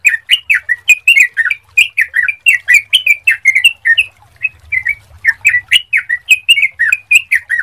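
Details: Sooty-headed bulbul whose clear song serves as a lure to make other bulbuls sing. Continuous chatter of rapid, liquid whistled notes, swooping up and down, with hardly any breaks throughout.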